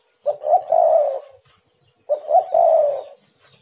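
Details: Lure coo of a spotted dove aimed at stirring other doves to call: two phrases, each a short lead note then a long, level, mellow coo lasting nearly a second.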